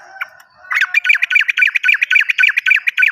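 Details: Sooty-headed bulbul song used as a lure for birds that stop singing or for newly caught birds: a brief soft note, then a fast rolling trill of buzzy, dipping notes repeated about four times a second, loud and steady to the end.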